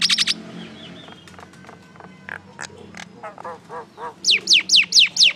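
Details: Common myna making noise: harsh squawks and varied chattering notes, ending in a run of five loud descending whistles repeated evenly.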